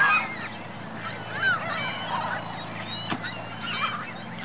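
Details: At Virginia Lake in Reno, 2 May 2013, geese with goslings give scattered high, thin peeps and squeaky chirps over a steady low hum, with a sharp knock about three seconds in.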